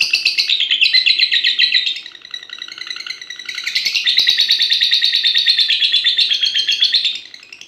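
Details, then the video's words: Six-and-a-half-month-old fighter lovebird in long-duration competition singing, pouring out rapid high chattering chirps in a steady stream that dips softer briefly midway, then surges back loud and unbroken. "Love bird paud fighter durasi mewah 1menit up"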